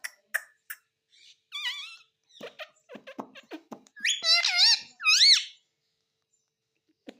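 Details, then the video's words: Pet parrot speaking indoors: scattered soft clicks and murmurs build to two loud, bright, wavering harmonic calls near the end. "Talking parrot || Mitthu mitthu || Tota Tota"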